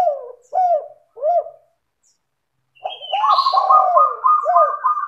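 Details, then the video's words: Zebra dove singing to draw other doves into song: a few separate soft coos, then a short pause and a fast, dense burst of trilled, rolling cooing with a high whistled note at its start. "LANGSUNG IKUT BUNYI dengan PANCINGAN suara tekukur gacor rapat merdu dan jernih"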